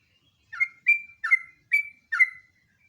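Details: Sooty-headed bulbul, locally jogjog or trucuk, in full rolling song as lure and master material: five clear, evenly spaced notes, each a short bubbly chirp sliding into a steady whistled tail, repeated about every half second on a clean background.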